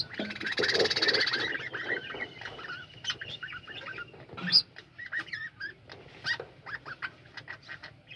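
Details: Budgerigars calling together in a colony aviary, dense overlapping chirps and warbles mixed with short whistled notes, a louder harsh burst near the start and scattered bright clicks throughout.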